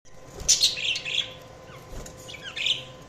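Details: Budgerigar chirping: a few bright, warbling high chirps and short twittering notes in two bursts, a pause of quiet between them, over a faint steady hum.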